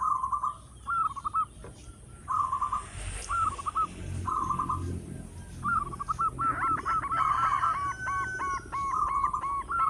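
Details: Loud local zebra dove song intended to draw other birds in: short trilled coo phrases repeated steadily over a background hiss, building to a busier run of ringing rolled notes.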